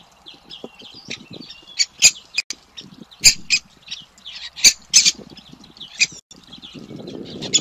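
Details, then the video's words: Begging young great spotted woodpeckers during feeding: dense high chattering with several loud sharp squawks standing out, plus low scraping and rustling noises. "Karmienie młodych dzięciołów dużych (Dendrocopos major)"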